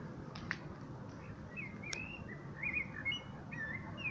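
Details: Common blackbird singing: fluted, slurred whistled phrases rising and falling around mid pitch, over steady low background rumble.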